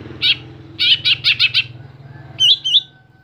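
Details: Caged greater green leafbird, a contest songbird, giving a fast series of five harsh, buzzy bursts, then two clear upslurred whistles after a brief pause; faint low hum underneath.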